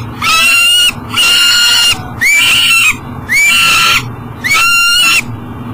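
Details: Peregrine falcon at its Minnesota nest box on the Mississippi River in Elk River, bringing breakfast at 7 am but unable to enter; five distinct harsh, upslurred screams, each under a second, separated by short silences.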